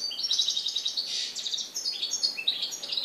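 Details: Goldfinch song from Morocco, 4 December 2013: an unbroken stream of high, jingling twitters and rapid trills, with buzzy rasping notes mixed in throughout.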